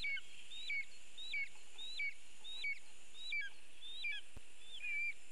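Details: At a birch-tree nest in Latvia, a lesser spotted eagle calls on a live nest camera while a bird is delivered. Eight sharp yelping notes, each dropping from high to lower pitch, come at a quick, fairly even pace over constant background hiss.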